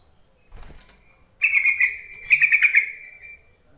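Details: Yellow-vented bulbul lure call meant to coax reluctant bulbuls to sing: a faint rustle, then a sustained bubbly chattering phrase that swells into rapid pulsed notes before fading, with nothing else audible.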